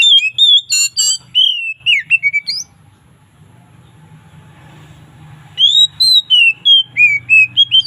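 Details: Oriental magpie-robin in relaxed, loud 'ngeplong' afternoon song: whistled, downslurred notes with a harsh buzzy burst, then a three-second pause with low hum before the loud whistled series resumes.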